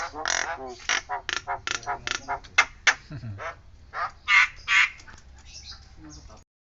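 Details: Nias hill myna with siren-like calling: a quick, uneven run of harsh nasal notes, a brief low growl, then two louder drawn-out rasping calls before the sound cuts off.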